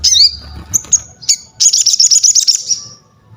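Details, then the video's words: Crested jay singing vigorously as master material: a dipping whistled slur, two short high piping notes, then a rapid pulsed rattle of about a dozen beats lasting over a second. "SOGON GACOR UNTUK ASAH MENTAL, MASTERAN DAN PANCINGAN BUNYI"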